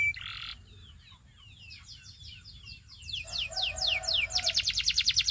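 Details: Training song of a canary: a short buzzy burst, soft twittering, then loud descending whistles speeding into a fast, ringing trill.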